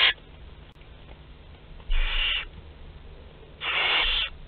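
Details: Nestling barn owls aged 2–12 days feeding together in Théding, France, 29 April 2021; soft rasping hisses roughly every two seconds, each about half a second long, with faint low rumble.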